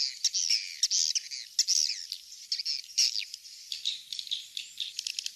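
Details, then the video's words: Swiftlet sounds meant to attract the birds into nest houses: high, thin squeaky chirps and sweeping twitters, interrupted by sharp clicks and separate short notes. "Suara walet"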